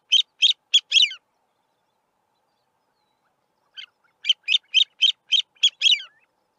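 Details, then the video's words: A male Grey-winged francolin calling from a termite mound in open grassland gives a quick burst of four harsh, squeaky notes, then after a pause a longer run of about nine, each note high and rasping. "Grey-winged Francolin call"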